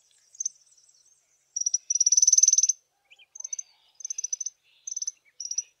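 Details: A small group of African firefinches sitting in the sun on a chilly morning sings high, thin trilled phrases of rapid buzzy notes, with one longer rattling run, then short bursts of repeated twittering.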